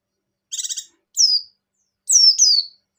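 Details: Buxtoni white-eye in breeding condition giving ngecir song joined to ngalas style: one short buzzy rattled note, then three clear high whistles, each sliding steeply downward, two of them run together.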